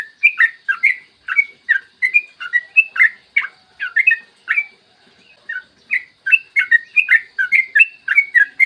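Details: Morning recording of a yellow-vented bulbul in full rapid song, meant to prompt other bulbuls to sing: fast strings of bright, gurgling chirps, briefly interrupted near the middle before resuming.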